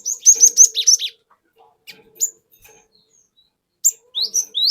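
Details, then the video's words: Lure song of a wild cinereous tit, known as 'wucit wuit' rolling song: a rapid cluster of high thin whistled notes, then scattered single rising chirps after a quiet gap. "Pancingan Burung Glatik Batu Bahan Hutan Auto Ngeplong Wucit Wuit Ngerol Panjang"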